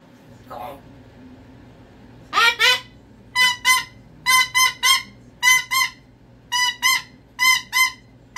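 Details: Pet cockatoo having a meltdown: one faint call, then a run of about eleven loud, harsh, paired screams from the middle onward, each rasping and rich in overtones, with a quiet room hum beneath.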